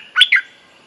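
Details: Bulbul mating call used as a lure to teach young birds: two quick, sharp chirped notes in close succession, bright and slightly falling, then quiet.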